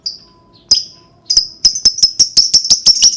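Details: Lovebird sound for prompting other lovebirds to sing: a thin whistle, then quickening high-pitched chirps, about three per second, building into a steady rattling series.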